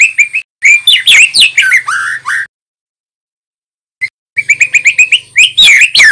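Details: White-rumped shama, young male, in rich song for training birds: quick chirp series, swooping whistles and harsh notes, a pause, then fast repeated chirps building into varied phrases.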